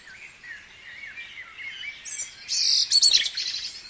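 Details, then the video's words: Dawn chorus at Guisborough, opening with a run of looping whistled notes, then a loud, close, rapid high-pitched twittering burst over quieter distant song. "Dawn Chorus#3"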